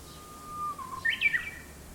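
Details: At sunrise, from a black locust tree by a house in town, a bird gives a long steady whistle that drops, then a brief harsh, chattering burst of notes.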